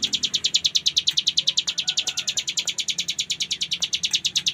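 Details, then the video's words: Ciblek gunung prinia in full ngebren song for training caged birds, a long, quick trill of shrill repeated notes at about eight per second, with a few faint clicks and low hum in the background. "Cigun Gacor Full Ngebren"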